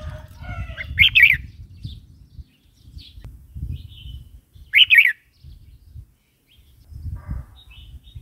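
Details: Red-whiskered bulbul song, played to stir up new or wild birds and to train young ones: two short bright warbled phrases about four seconds apart, separated by quiet chirps and low rumbling background noise.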